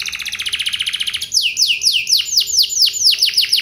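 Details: Caged canary singing a lure song meant to draw other canaries into answering: a fast buzzy trill gives way to loud descending whistled swoops repeated about four times a second.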